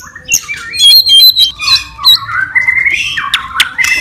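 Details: White-rumped shama fighting song used to provoke other birds: a busy, varied run of whistled and harsh notes, sweeping and rising phrases mixed with sharp squawks, some overlapping, with faint low background hum.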